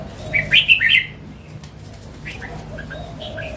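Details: Wild mature red-whiskered bulbul singing one short, bubbly phrase of about four quick, warbled notes near the start. Softer scattered chirps follow over steady low background hum.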